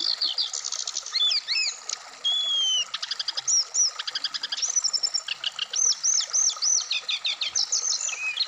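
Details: Black-throated laughingthrush, a kept bird set out in the morning dew, gives a fast, unbroken, highly varied song of clear whistles, rising and falling slurs and rapid chattering trills, all high-pitched.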